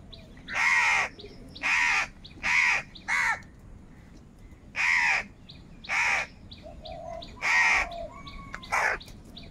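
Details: Loud, harsh caws from crows gathered and angry over food come in quick bursts of four, then four more after a pause, each call short and rasping, with faint calls from other birds behind them.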